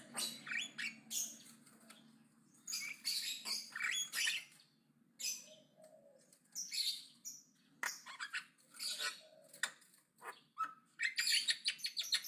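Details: Javan myna's aggressive, loud chattering song: long irregular runs of harsh rasps, squeaks, clicks and short whistled notes with brief pauses.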